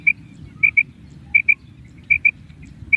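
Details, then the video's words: Female common quail giving its kirak call: short high clear notes, mostly in quick pairs, repeated roughly every half second to second, over a soft low rumbling background. "مادہ بٹیر کی کرک | मादा बटेर की आवाज़ | Mada Batair ki kirak | Female Common Quail Raising Call"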